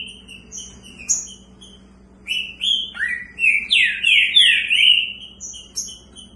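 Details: Caged Green-winged saltators in a head-to-head singing match, one housed in a large cage: scattered thin whistles open, then a loud run of slurred, swooping whistled notes tumbling downward and rising again.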